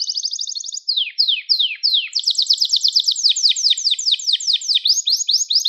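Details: Gloster canary singing to stimulate other canaries and train young birds: an even trill, four slow falling swoops, then a long run of quick repeated downward-sweeping notes.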